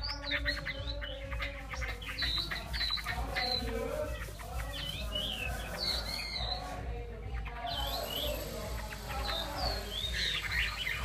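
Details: Chinese hwamei song, a rich, varied stream of loud whistled phrases with rising and falling slurs and quick chirps, delivered almost without pause over a steady low hum.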